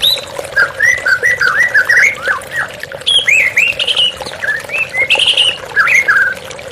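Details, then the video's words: White-rumped shama song set against flowing water: a fast, continuous stream of rich whistled notes, up-and-down slurs and high trills that barely pause, over a constant watery hiss. "TERAPI MURAI BATU Stres Macet Langsung pulih _ Terapi Murai Dengan Suara Air Mengalir"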